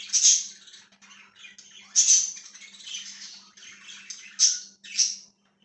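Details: Nearby budgerigar chirping, 1/6/2023: loud bright chips and squeaks separated by softer raspy chatter, about five strong accents in under six seconds, ending abruptly, faint low hum behind.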